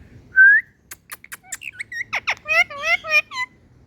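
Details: Indian ringneck parakeet talking: one rising whistle, then a rapid sequence of chattering, speech-like syllables and warbled notes lasting about two seconds, in a quiet setting.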